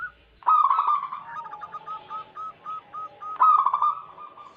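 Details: Zebra dove song from a local wild bird, played to draw in wild doves: a loud rolling coo, a row of short, evenly repeated notes about twice per second, then another rolling phrase.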